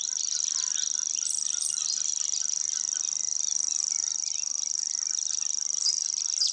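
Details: Distant Grasshopper Warbler in deciduous scrub delivering its long, unbroken insect-like reeling song, a steady high mechanical trill whose loudness rises and falls as the singer moves its head; brief thin chirps of other birds overlap.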